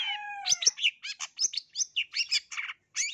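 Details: Long-tailed shrike from East Java, a lively singer with a full repertoire, opening with a descending nasal whistle, then a rapid jumble of harsh chattering notes and squeaky mimic-like phrases with brief pauses.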